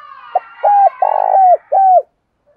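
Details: Spotted dove cooing, played to stimulate other doves to coo: a short pickup note, then four low, hollow coos, the longest slightly rolling, the last sliding down, in clean silence.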